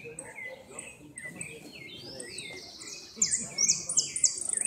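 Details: Saffron finch competing in repique song, second place in the northern zone, 2016: slurred whistles from several birds, then a fast string of high buzzy notes ending in a rapid trill, with a man speaking.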